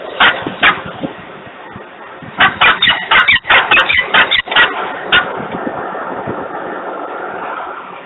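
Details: Noisy peregrine falcon recorded in Włocławek, Poland, 3 December 2020, 10:36 in the morning; scattered rasping cries, then a fast cluster of harsh notes around three to five seconds, fading into low background rumble.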